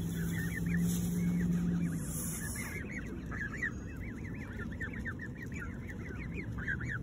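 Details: A family of hungry geese eating melon give rapid, short, nasal calls, about three a second, in a steady chattering run over constant background hiss.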